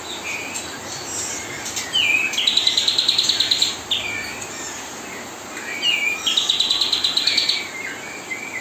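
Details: Pied triller song played day and night as tutoring for white-rumped shama fledglings; two bright, fast chattering trills of evenly spaced high notes, each about a second long, with scattered short chirps between.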